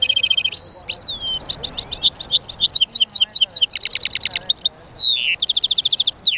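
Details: European goldfinch mule singing: a fast, varied run of bright twittering notes, short trills and sweeping whistles, broken by brief pauses and a few longer descending slurs, all high-pitched and loud.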